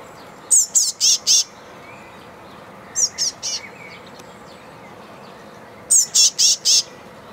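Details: Tit from a group insistently demanding food, scolding for mosquitoes: three bursts of rasping high chirps, four, then three, then four notes, separated by short pauses.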